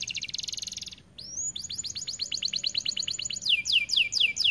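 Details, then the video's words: Energetic song of a white AF canary: a buzzy pulsed trill, a short pause, then a string of quick rising notes and finally loud falling sweeps. "Kenari AF warna putih GACORR DORR"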